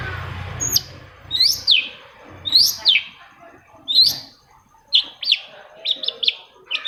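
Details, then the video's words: Long-tailed shrike song used to prompt other shrikes into singing: short harsh, rising and falling chirps in spaced bursts about every second, with faint low rumble early on. "CENDET MACET SUSAH BUNYI PASTI NYAUT KETIKA MENDENGAR TOETAN BURUNG CENDET INI"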